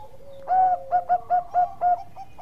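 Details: Zebra dove of the Bangkok type, a vocal bird used as a master song for training: a run of six soft, rounded cooing notes at mid pitch, the first drawn out and the rest short, spaced about a third of a second apart.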